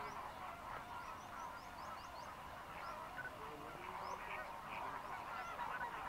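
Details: A migrant Greater flamingo flock fishing on Mannar Island, Sri Lanka, in the dry season gives rapid overlapping honks and chatter, with scattered thin high chirps above the dense steady murmur.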